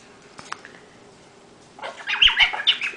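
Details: A 10-month-old female bare-eyed cockatoo kept as a pet, urged to say something indoors, breaks into a burst of loud, squawky, swooping notes after a woman's quiet coaxing, followed by more speech.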